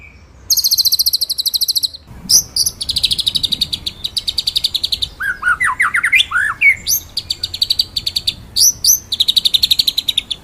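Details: White-rumped shama used as master song for training other birds, 'ngeroll nembak' style: high rapid rolling trills, a run of falling and rising whistled notes midway, then more fast high trilled bursts.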